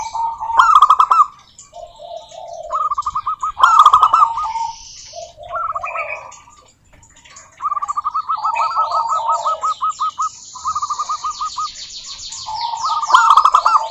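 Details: Local zebra doves sing to stir other doves into song: repeated bursts of rolling trilled cooing alternate with lower soft coos. A long even-pulsed trill sounds in the middle, with faint higher chirping behind it.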